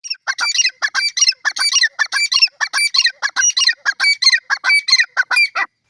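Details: Grey francolin calling: a rapid, continuous series of harsh, squawky, ringing notes, each sharp and high, repeated about one to two per second with little pause and no other sounds.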